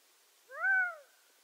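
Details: Gambel's quail, one mewing, nasal call that swells up, levels off and falls away within half a second; otherwise quiet.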